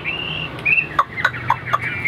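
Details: Caged Chinese hwamei, newly arrived that morning, singing: a long level whistle, then a string of short, sharp, clicking whistled notes about four times a second, ending in another drawn-out whistle.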